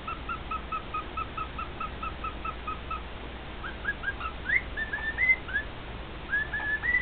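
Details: Male cockatiel kept as a pet, singing to its two cockatiel companions: a quick string of short repeated whistled notes, then louder slurred and rising whistles, some sweeping upward sharply.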